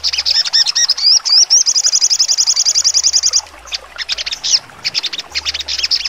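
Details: Sogon 'nembak tajam' song: a few sharp chips and wavy whistles lead into a fast, high, regular trill, followed by broken bursts of sharp notes.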